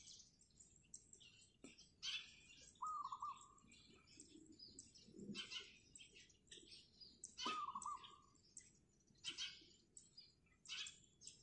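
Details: Wild zebra dove on roof tiles in the morning, two rolling coo phrases about five seconds apart, surrounded by constant busy chirping of other small birds.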